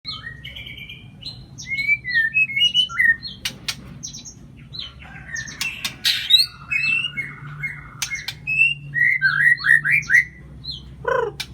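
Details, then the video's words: Oriental magpie-robin song used as a lure to stir a silent bird into singing: varied whistled phrases, rising and falling slurs and short trills, with sharp clicks and scratchy notes between them and a low steady hum behind. "Pancingan murai bisu"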